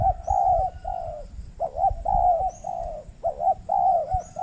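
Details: A wild spotted dove coos back at a trapping decoy in the Riau Islands, Indonesia, on peat ground, cooing strongly but not aggressive. Several drawn-out, slightly arched coos come at about three a second, over a faint low rumble.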